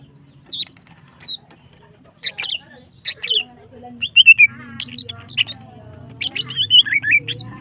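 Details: Female greater green leafbird in breeding condition, used to stir other birds: scattered high chirps that build into dense twittering and slurred whistles toward the end, with low murmuring noise below.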